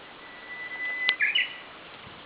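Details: Japanese bush warbler singing in the morning in light rain: a long, thin, steady whistle, then a quick two-part flourish that rises slightly at the end, over a soft background hiss.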